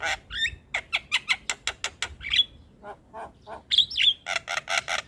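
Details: Javan myna song played to encourage a lazy bird: a steady series of harsh chack notes about four per second, a brief whistle, softer notes, then a loud whistled squawk and more rapid chacks.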